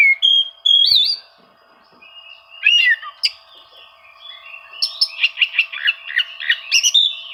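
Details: Oriental magpie-robin song meant to draw out rivals and coax quiet birds into singing: opening wavering whistles, a pause, then a dense run of bright chirps and slurred notes, with a constant low hum.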